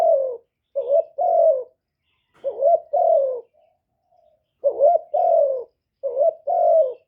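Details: Decoy spotted dove calling to attract wild doves: repeated soft two-note coos, a quick wavering syllable leading into a longer sliding hoot, four phrases at uneven intervals in a quiet setting.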